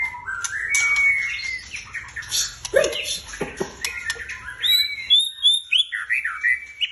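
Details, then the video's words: Caged white-rumped shama in full song: bright sliding whistles, then rapid sharp clicks and chips, ending in a quick series of high upward-flicking whistled notes about three per second. "jangan coba kasih bunyian burung ini atau engak burung kalian ngotot"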